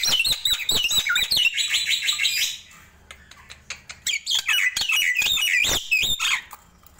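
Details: Nias hill myna morning song: rapid chirps and looping whistled notes, a quieter stretch in the middle, then a fresh run of bright rising-and-falling whistles.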